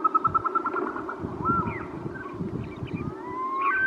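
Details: Caspian snowcock: a short run of rapid, evenly spaced whistled notes, then scattered thin whistles and a slurred rising whistle near the end, over a steady low rumble.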